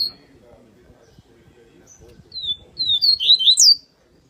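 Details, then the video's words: Double-collared seedeater of the Paulista type in tui-tui song, beginning with a short whistle, then a quick burst of bright slurred notes rising and falling over a background of low human voices. "COLEIRO PAULISTA TUI TUI VELOX FIBRA"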